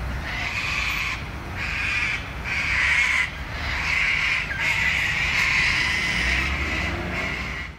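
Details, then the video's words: Sulphur-crested cockatoos in a flock calling at dusk, Wentworth Falls, Australian bush, 14 June 2021, just after sunset; rasping, noisy screeches overlap almost continuously, about six loud surges with short gaps, background low rumble throughout. "Cockatoos 001: Dusk Screech"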